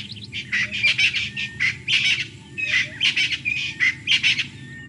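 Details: In the African bush in Botswana, in early morning light by a river, a francolin gives a harsh, grating alarm call in rapid, uneven bursts, alerting to a leopard moving through the sandy riverbed.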